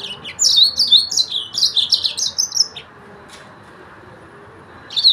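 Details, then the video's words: Fast, high twittering song from a yellow-fronted canary, an unbroken string of sharp chirps and slurs for nearly three seconds, then quiet, then another phrase beginning. "تغريد فرخ السودان موزمبيق"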